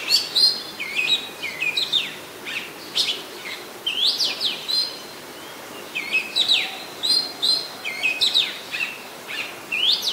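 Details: Oriental magpie-robin singing in Ubon Ratchathani, Thailand, 24 December 2020; continuous sweet varied song of rising whistled sweeps, trills and sharp notes, phrases coming about every second with brief gaps.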